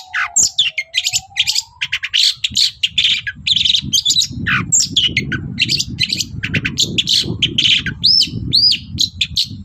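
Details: Lively morning song of a Long-tailed shrike used to provoke other birds into replying: rapid harsh chattering and squawky phrases, a couple of clear up-down whistled notes near the end, over a low rumbling background.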